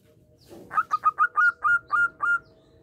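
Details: Local zebra dove in full, lively song used as a lure to prompt other doves to answer: an opening soft note, then eight clear, mellow staccato coos, the later ones longer and evenly spaced, over a faint low hum.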